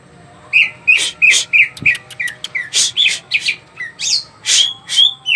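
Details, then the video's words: Greater green leafbird song made of rapid, varied phrases. Loud whistled notes alternate with harsh scratchy chips at about three per second, ending in a longer clear whistle. "burung cuca ijo gacor"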